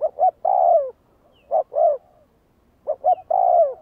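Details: Captive spotted dove used to train decoy birds, cooing in three phrases, each of short hollow notes followed by a drawn-out, slightly falling coo.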